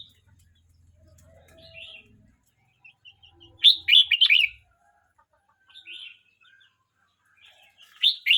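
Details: Red-whiskered bulbul, a young bird aged 12 months 29 days, sings short bright warbled phrases: faint chips first, then a loud rollicking burst near the middle, a softer note, and another loud phrase at the end.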